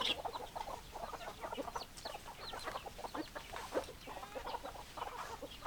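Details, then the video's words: Hens cluck in a lively, continuous chatter of brief overlapping notes, with some higher-pitched squeaky calls mixed in. "Chicken Sounds Noises Hens Clucking Roosters Crowing"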